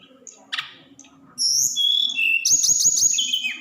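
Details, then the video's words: Snowy-browed flycatcher, song in the 'roll tembak' style to provoke other birds: a single chip, then a loud continuous run of very high whistles stepping down in pitch, with low clicking in the background. "tledekan gunung roll tembak... bikin emosi Burung anda naik."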